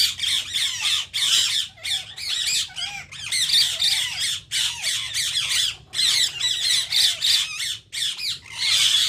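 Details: Several Indian ring-necked parakeets screeching almost without pause, harsh rasping squawks mixed with short whistled notes in a dense, continuous chorus.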